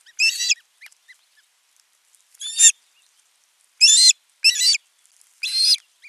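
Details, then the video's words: At an osprey nest in Satakunta, western Finland, 15 June 2024, while the male delivers food to the chick: five loud, grating, high chirp bursts at uneven intervals, each under half a second, with silence between. "Osprey Dad brings big for his baby"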